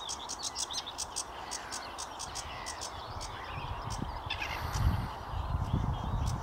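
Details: A sedge warbler sings at Watermead Country Park on 8 May 2022: rapid, scratchy chattering of quick repeated high notes, over a heavy low rumble of wind.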